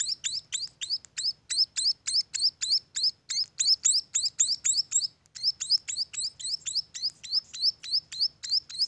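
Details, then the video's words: Young munias from a bird farm chirp in quick succession, thin high rising notes roughly three or four per second, with a brief break near the middle and a faint low hum underneath. "suara anakan burung emprit"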